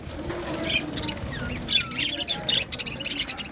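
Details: Australian budgies kept as a colony in an aviary, recorded 11 July 2025: scattered high chirps and warbles over a rustling background, with a burst of rapid wing flapping near the end.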